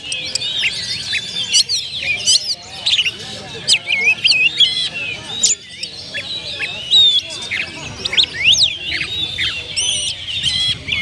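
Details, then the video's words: Captive-kept kacer, oriental magpie-robin, unloading its song repertoire as a lure: varied loud whistled phrases, sharp upslurred and downslurred notes, clicks and trills, bursts with brief pauses between them. "PANCINGAN SUARA BURUNG KACER ,BONGKAR ISIAN"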